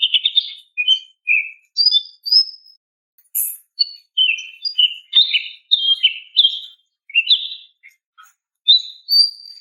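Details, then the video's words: Female greater green leafbird giving calls to attract a male: lively sequence of short chirps and whistled notes, pitch shifting up and down, delivered in quick bursts with brief pauses. "SUARA BETINA MEMANGGIL JANTAN"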